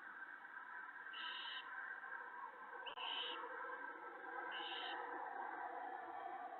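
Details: Owlets and their mother at a nest as the male brings prey on a March 2017 evening; three separate hissy screeches about one and a half seconds apart, over steady electrical hum.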